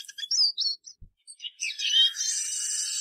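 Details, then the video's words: Eurasian siskin (Spinus spinus) singing: quick high twittered notes, a short pause, then a long buzzy, wheezing trill held for over a second, with no background music. "EURASIAN SISKIN SONGS Spinus Spinus Singing"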